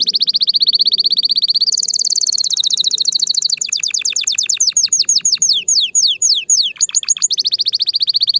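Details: Excited male canary singing loudly to stimulate females for mating and nest building: rapid trills of repeated high notes, steady phrases shifting into fast descending sweeps, then a steady high trill again, with no other clear sounds.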